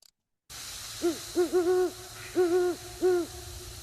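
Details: A Great Horned Owl gives a deep, soft series of five hoots in a stuttering rhythm, two short then longer ones, a quiet call that carries a long distance, over faint background hiss.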